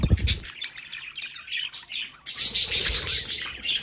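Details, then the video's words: Budgerigars kept at home by a window chirp and warble rapidly, starting with a low knock, then a louder bright stretch of dense chatter in the last second and a half. "Sonidos para Periquitos Australianos en casa"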